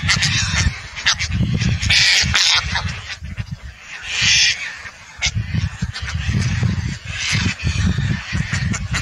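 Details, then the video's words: Indian skimmer gives a few bursts of harsh, nasal, yapping calls over heavy low wind rumble. "Indian skimmer call"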